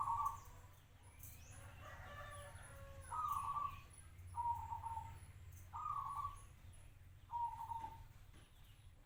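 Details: Local zebra dove kept for five years gives short, slightly falling trilled coos spaced about one to two seconds apart, with faint high ticking in the background.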